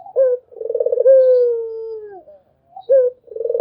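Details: Anggungan cooing of a Barbary dove: a short coo, then a long pulsing coo that stretches into a steady, slowly descending note, followed by another clipped coo and the start of a new roll.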